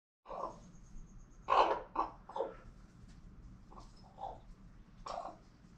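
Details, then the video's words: Pet female common raven making strange noises at her keeper, possibly trying to say hello. Harsh, throaty squawks and short bursts in an irregular series, one loud double burst in the middle, with a person repeatedly saying hello. "Raven Becky trying to talk or just squawking in my face?"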